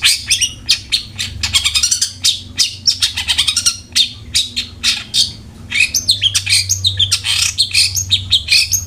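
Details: Long-tailed shrike, a lure to make kept shrikes sing diligently: long fast run of rapid ticking and chattering notes, then a varied stretch of slurred whistles and harsh buzzes, over faint low hum.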